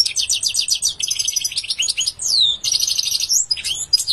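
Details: European goldfinch singing a fast run of bright twittering, tinkling notes with rapid trills and a drawn-out descending buzzy slur, mostly high-pitched and almost without pause.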